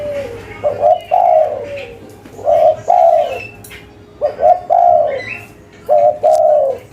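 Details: Local spotted dove calling in cetrekan style: four phrases, each a doubled short coo then a long falling coo, separated by quiet gaps, with faint high chirps behind.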